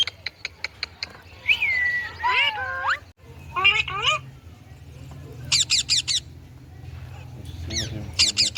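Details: Indian ringneck parakeet making sounds: a few sharp clicks, then a drawn-out whistle and looping, wavering squawks, followed by a pause and high rapid screechy notes repeated in short bursts over a low background hum.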